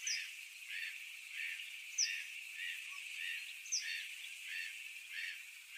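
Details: Pallas's fish eagle calling with a steady run of harsh, arched notes, roughly two each second, while a few sharp high chirps break in now and then.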